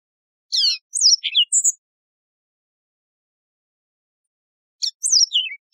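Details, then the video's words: Yellow-fronted canary, a wild canary also known as Mozambique serin, sings a short burst of sharp chirps and descending whistled notes, falls quiet for three seconds, then repeats a similar phrase. "شريط تغريد البسبوس الموزمبيقي"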